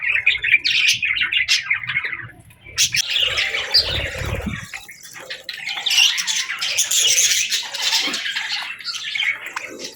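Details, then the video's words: Budgerigars chirping at morning: bursts of harsh squawky warbling and fast twitters, a short lull around two seconds, then an even denser stretch of chatter with scattered low knocks. "Birds Chirping Sounds 🌅🐦 Budgie Morning Melodies for a Happy Start!"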